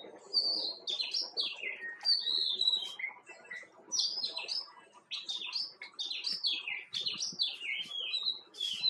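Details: Nine seconds of nearly continuous chatter from a white-cheeked bulbul: bubbly, clear whistled notes dropping in pitch, grouped in rapid phrases with only a brief lull partway through.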